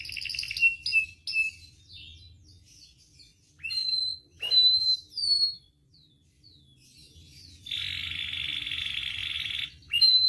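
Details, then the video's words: Domestic canary song used as a master and lure recording to train and provoke other canaries to sing: scattered clear whistled notes and sweeping slurs, then a dense buzzy trill held for about two seconds, with a low hum underneath. "SUARA KENARI AMPUH [#23] MASTERAN DAN PANCINGAN KENARI GACOR FULL ISIAN"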